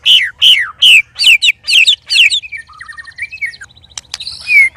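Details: Three caged white-rumped shamas sparring together, making strange, loud sounds: a fast run of loud, sharply falling whistled notes, about two per second, then softer scratchy buzzes and a final falling whistle.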